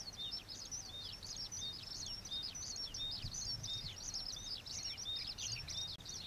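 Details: Juvenile common waxbill, an introduced species, recorded in a wetland by the old iron bridge in Pingtung, Taiwan; continuous high, thin twittering of quick chirps and short whistled slurs, densely packed throughout, with faint low background rumble.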